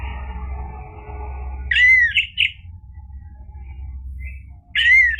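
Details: Orange-headed thrush in lively 'gacor' style, recorded as a lure to provoke other birds into singing: two short, harsh, down-slurred phrases, each followed by a quick rasping note, separated by a long pause over a low steady hum.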